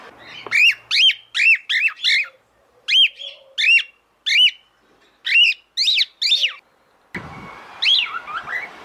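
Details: A female cockatiel calls out to a male, wanting to mate. She gives about a dozen sharp, arched whistles, each rising then falling, spaced roughly half a second apart. A burst of rustling handling noise near the end carries a few fainter whistles.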